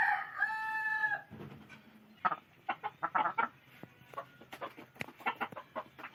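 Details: Chickens: a loud drawn-out squawk opens, followed by irregular soft clucks and pecking-like clicks.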